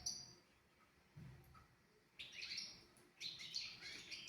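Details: European goldfinch tutor song for young goldfinches and canaries, mostly hushed at first with a faint chirp, then two short bursts of high, tinkling twitters in the second half.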